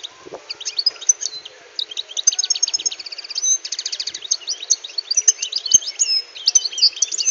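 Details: Caged European goldfinch, wild-caught and kept six months, delivering a fast, continuous twittering song of high liquid notes, buzzy trills and rapid repeated chips over a faint hum.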